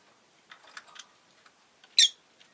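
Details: Rosy-faced lovebird chirping: soft scattered clicks and scratches, then a single loud, sharp, rasping chirp near the end before quiet returns.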